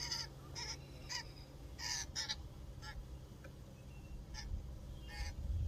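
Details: Backyard common grackle in Ontario, Canada: loud, rasping chack calls in uneven bursts, some doubled, with quieter notes between and a low background hum.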